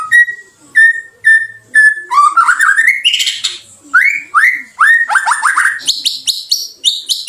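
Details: White-rumped shama song used as a lure to stimulate other shamas to respond: a row of clear whistled notes, then rising slurred whistles, buzzy rattles and high, rapid chattering phrases, richly varied and loud.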